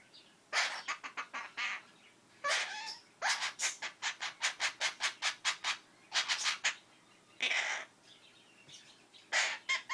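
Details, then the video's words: A female Princess of Wales parakeet, a foster kept since October 2013, imitates her owner's sneezing with harsh, hissing bursts, then a quick run of a dozen sharp clicks and more sneeze-like blasts. "The Sneezing Parrot"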